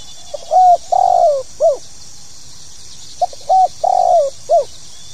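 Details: Spotted dove's pokal tanggung calling coo, used to get new birds singing: two low, soft phrases about three seconds apart, each a flat coo then a longer falling coo and a short dropping final note, over a constant faint hiss.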